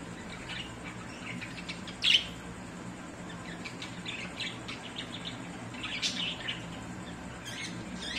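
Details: Budgerigars in breeding season chirp and chatter in quick, scratchy bursts, with one sharp louder squawk.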